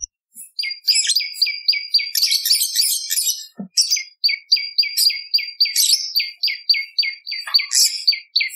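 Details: A bar-winged prinia sings a steady, rapid series of sharp double-toned chips, about three to four a second, with brief fuzzy buzzes layered in; recorded as a lure and tutor for songbirds.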